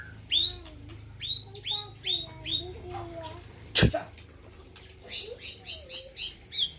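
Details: White-rumped shama from the Gayo highlands of Aceh, singing at a 2021 bird competition: a quick run of rising, upswept whistles, then lower slurred notes, a sharp click, and a final series of bright chirps.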